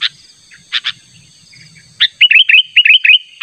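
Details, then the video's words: Sooty-headed bulbul, natural call used as a lure to draw in a rival: a few sharp chirps, then a quick series of bright, warbled notes with rising and falling inflections in the second half. "Pikat Burung Kutilang Panggilan Ter ampuh suara alami"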